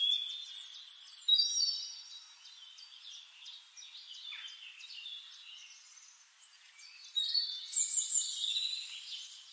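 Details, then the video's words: Black-chinned mountain tanager giving high, thin twittering calls, bursts of sharp chips and short trills, with a louder burst near the end over soft background noise. "Black Chinned Mountain Tanager Bird"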